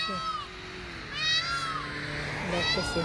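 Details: Peacock giving three loud, drawn-out wailing calls, each an arched, strongly harmonic cry rising then falling, spaced about a second apart, over faint background hum and distant voices.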